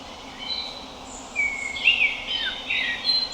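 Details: Common blackbird (Turdus merula) giving a short melodic phrase: a soft whistled note, then a brighter twittering flourish that rises and falls, against steady background hiss.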